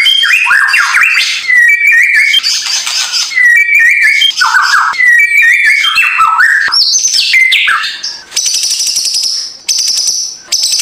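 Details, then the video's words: White-rumped shama song as a morning lure to make a lazy bird sing: fast varied whistled phrases, falling and rising slurs repeated in quick groups, ending in a steady high thin tone with ticking chatter. "Memancing emosi murai batu malas bunyi"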